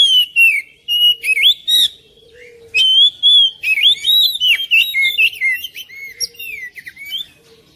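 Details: Oriental magpie-robin (kacer) song played to prompt a quiet bird into singing at home: loud varied whistled phrases, sliding and warbling notes mixed with sharp chirps in bursts, with short pauses between phrases.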